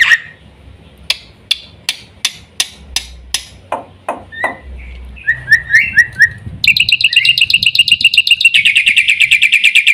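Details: Black-winged myna song: a run of sharp clicking notes about every half second, then chattering whistles and a dense, buzzy, rapid trill of high ringing notes to the end.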